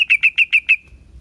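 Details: Five loud, bright chirps from a yellow-vented bulbul (trucuk), evenly spaced and rapid, the last trailing off into a short fading tail.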